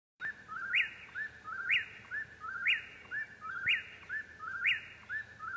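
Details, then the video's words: Eastern whip-poor-will singing at night: its three-note phrase about once a second, each ending in a sharp, rising whistled snap, over a soft rural hiss. "Whip-poor-will's Serenade"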